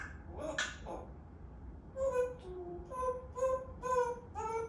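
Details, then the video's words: Pet African grey parrot talking indoors: after a quiet start, a run of harmonic, voice-like syllables at a steady mid pitch, repeated in short bursts about every half second, with some faint noise underneath. "Talking Africa grey parrot"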